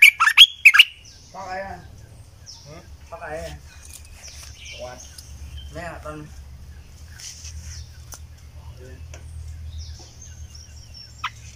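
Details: A red-eyed bulbul (Pycnonotus brunneus) song, recorded in 2020 for use as a lure call. It opens with a few sharp notes, then gives short bubbling, warbled phrases every second or so, with thin high chirps and a low hum behind.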